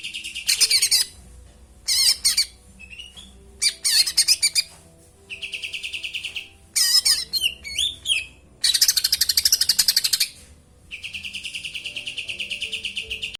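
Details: Sooty-headed bulbul singing with sparrow-style filling ("isian greja"): bursts of high, rapid chirps and twittering alternate with steady strings of quickly repeated sharp notes, separated by short pauses. Low background hum.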